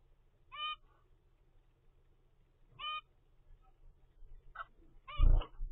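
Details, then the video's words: A 25-day-old captive-bred zebra finch chick gives short, nasal, toy-trumpet calls about two seconds apart, then a quicker cluster at the end with a soft thump of movement. "zebra finch baby DAY 25"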